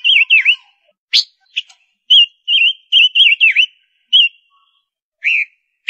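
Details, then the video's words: Silver-eared mesia female, kept as a lure bird, sings warbled whistles with downward dips, interspersed with a sharp click and short chips, phrases spaced by short silences. "Tiếng chim Ngũ Sắc mái hót, Chim Ngũ Sắc mồi"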